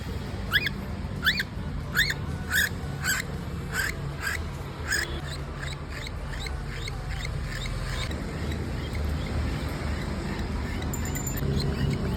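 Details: A baby cockatiel being hand-fed gives rapid, harmonic chirping begging calls that fade after a few seconds.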